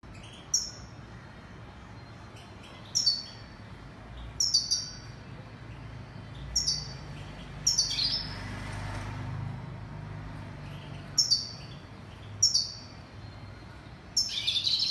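A European goldfinch gives short, bright, high twittering phrases that slur downward, repeated every one to three seconds over a low background hum.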